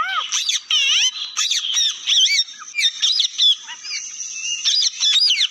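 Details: Parrot making rapid squeaks, downward-curving whistles and harsh bursts that run almost without pause, with a steady high chattering underneath.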